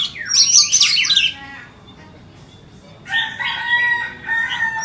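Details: White-rumped shama for sale gives a dense burst of high, tumbling notes, then falls quiet for about two seconds before resuming with fuller, harsher phrases over steady clear tones.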